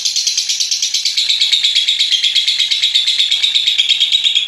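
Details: Lovebird in a long ngekek trill, master recording meant to stimulate other lovebirds into song: continuous, very fast, high buzzy pulses, steady and unbroken, slightly falling in pitch as it goes on.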